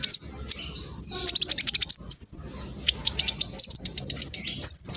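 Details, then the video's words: East Javan black sunbird, a spotted juvenile, with fast rattling song used to trigger other males: high sharp chips, then a rapid series of ticking notes, a pause, and another quick burst ending in thin whistles. "PANCINGAN KING KONIN TROTOL AMPUH BUAT KING KONIN LAIN CEPAT BUNYI"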